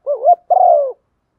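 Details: A female spotted dove gives one low two-part coo to excite a male. A warbling opening note bends upward, then a brief gap, then a drawn-out, even note that slowly falls. Nothing else is audible.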